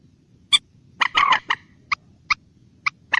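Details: Common moorhen special call: a sharp kek, then a burst of harsh, grating chatter, followed by single clipped notes spaced about half a second apart.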